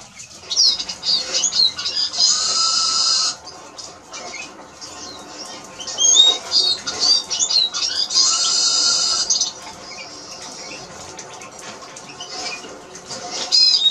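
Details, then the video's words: ['Eurasian siskin (Spinus spinus) song: continuous rapid twittering broken by two long, buzzy, wheezing notes, each held for about a second.'] "Eurasian siskin Song"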